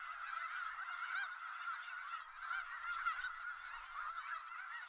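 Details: Many snow geese in Skagit Valley call at once, a continuous blur of high, hoarse honks and yelps with no gaps between birds.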